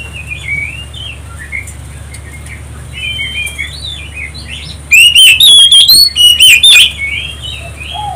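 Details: Oriental magpie-robin provocation song: faint warbling chirps from other birds over a low hum, then a sudden loud burst of rapid, shrill whistled notes for about two seconds before trailing off.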